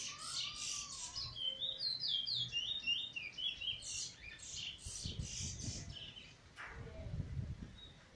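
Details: Eurasian bullfinch, first song after molt, 1 January 2022, with weet teeture and flute roll phrases: high chirps, a run of short rolling whistles, then more bright chirping over a muffled low rumble.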